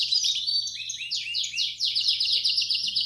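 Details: Young Belgian canaries are trained with this bell-style ('campainha') song: rapid sharp notes repeated about four times a second, merging into a loud, dense high-pitched trill.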